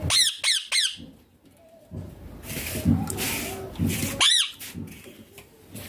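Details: Pet green ringneck parakeet, known for saying papa and mummy; three rapid harsh squawks, then muffled rustling and noise, and another loud squawk near the end.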